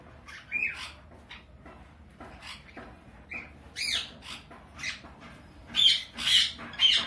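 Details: A pair of sun conures mating gives harsh, scratchy squawks and short chirps in uneven bursts about twice a second.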